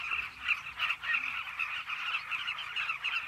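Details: Many Carmine bee-eaters calling together at their cliff nesting colony, a steady wash of overlapping burry, chattering notes with slightly louder bursts every half second or so.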